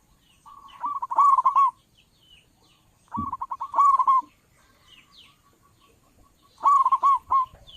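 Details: Local zebra dove, loud voice for luring doves into traps, repeats three rolling phrases of rapid, ringing coos, each building from short notes to louder hooked ones, with pauses of about two seconds.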